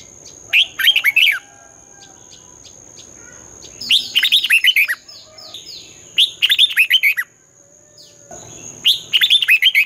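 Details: Red-whiskered bulbul 'hót đấu' morning singing in the twisting voice style used to train birds: four bright phrases of rapid bouncing warbled notes, roughly every two to three seconds, with a steady thin high tone throughout.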